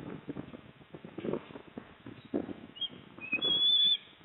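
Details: Osprey at a nest at Port Lincoln on 26 September 2024, as the father arrives with a fish and the mother eats. Low rustling and bumping sounds come first, then a brief, loud, high wavering whistle with a few shorter whistled notes near the end.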